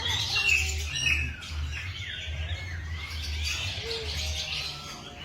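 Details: Morning birdsong: several birds chirp and tweet in quick, irregular high-pitched bursts across the whole stretch, with a steady low hum underneath.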